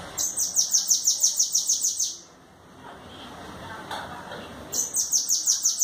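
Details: Bananaquit singing a rapid series of high, thin, sibilant notes, roughly fifteen in two seconds, then a quiet gap before the same buzzy trill resumes at the end.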